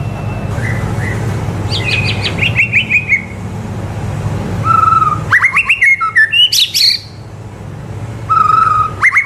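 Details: White-rumped shama (murai batu) song used for training young birds to sing: varied loud whistles and rapid chattering phrases, with clear fluted notes, over a steady low hum.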